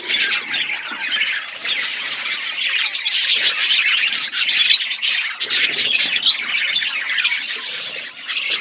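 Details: Aviary budgerigars in a forest environment make a continuous wall of high chirping and warbling from many birds, with quick twitters and squeaks overlapping throughout.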